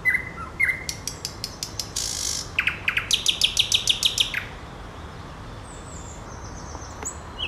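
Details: Nightingale singing: pure whistled notes near the start, a brief rasping buzz, then a fast run of about a dozen sharp, evenly repeated notes before it falls quiet with soft faint notes in the background.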